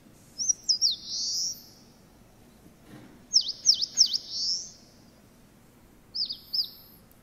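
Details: Eastern Crowned Warbler song, a summer visitor of broadleaf woods, its phrase likened in Japanese to 'shōchū ippai gui': high thin notes with rapid down-up sweeps in three bursts, the middle burst longest, over quiet background.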